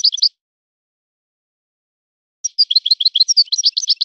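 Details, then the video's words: Forest-born European goldfinch singing in a breeder's song style: a brief twittering burst, a long silence, then a rapid run of high, tinkling chirps and slurred notes that builds in density. "طائر من طيور لي تاتغرد على نمط طيور سي حسن الكلوب ولد الغابة"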